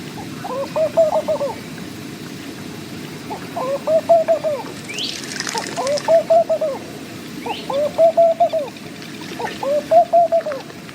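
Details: Laughing dove giving its repetitious soft cooing call, a bubbling low phrase of quick coos repeated five times about every two seconds, over a steady rushing background like flowing water.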